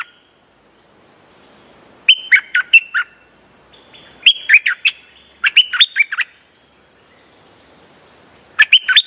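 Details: Lure song of a streak-eared bulbul, used when trapping: three separate bursts of rapid chirped notes, roughly every two to three seconds, with quiet pauses between and a faint continuous high whine throughout.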